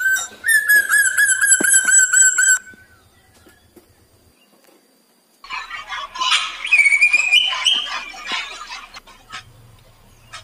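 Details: Black drongo lure song meant to set other birds singing: a long rich whistle for over two seconds, a quiet gap with faint low ticking, then a busy burst of harsh chattering and a wavering whistled phrase.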